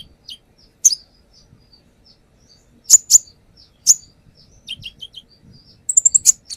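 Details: Brown-throated sunbird lure song, sparse and high: isolated sharp chirps at intervals of about a second, a few soft mid-pitched whistles, and a brief fast flurry at the end.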